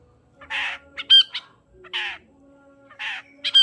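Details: Long-tailed shrike sound played as a lure to stir a reluctant shrike into singing; harsh, raspy noisy bursts alternating with short clicks and a thin whistled note, repeated about once a second.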